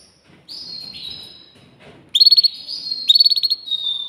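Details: Canary song: after a quiet start with soft, faint whistles, loud high whistled notes break into rapid buzzy trills of about six pulses, then a steady high whistle closes the phrase.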